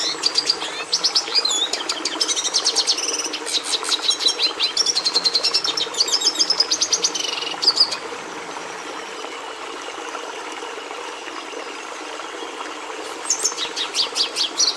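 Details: Red siskin singing a long, fast, varied twitter of high chirps, buzzy trills and whistled slurs for about eight seconds. It falls quiet, leaving a soft hiss, then a short burst of chattering notes returns near the end.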